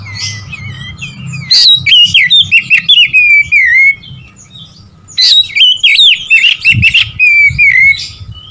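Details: Oriental magpie-robin singing to provoke rivals. Rapid whistled phrases with chirps and descending slurs come in two long bursts, with a short lull between them and a faint low hum.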